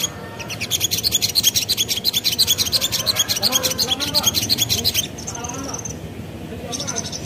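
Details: Spiderhunter lure song, called sogon locally, said to make other birds answer: a long, rhythmic run of loud high chips for about five seconds, followed by softer scattered notes.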